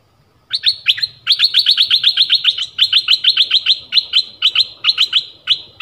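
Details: Forest decoy dok taeng bird calling for a mate, recorded 13 January 2021; over five seconds of sustained, fast, regularly pulsed high chirping with only brief breaks.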